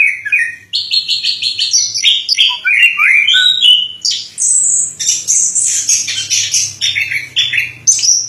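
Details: Orange-headed thrush (anis kembang), Indonesia: quick repeated chirps about three per second, flowing into varied slurred phrases and high bright notes, with a soft low hum underneath.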